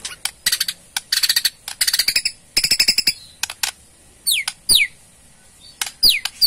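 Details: Rattling ketrekan call of a Borneo white-rumped shama, meant to prompt a response: rapid bursts of dry rattling clicks, then thin high descending whistled slurs between sharp ticks.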